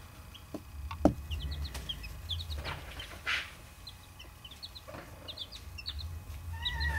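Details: Buff Orpington and bantam chicks peeping: many short high rising cheeps scattered throughout, with a low hum and a few louder knocks underneath.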